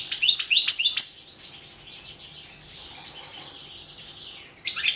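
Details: European goldfinch entered in the 2017 online World Championship in Goldfinch Song, Carduelis Balcanica; a rapid burst of high twittering, tinkling notes for about a second, then a quiet gap and a fresh burst at the end.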